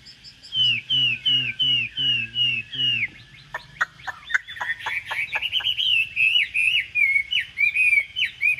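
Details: Caged hwamei offered for sale, yellow-legged and yellow-billed with a fanned tail: a man talking in Vietnamese over repeated whistled notes, then a rapid burst of sharp clicks and a dense warbled, whistled run.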